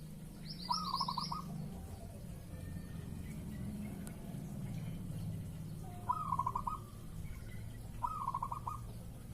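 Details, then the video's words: Zebra dove in breeding mood, cooing as a lure to prompt answering birds: bubbling stuttered coo phrases, one early and two close together near the end, over a low steady hum and a brief high twitter. "PANCINGAN BURUNG PERKUTUT MANGUNG"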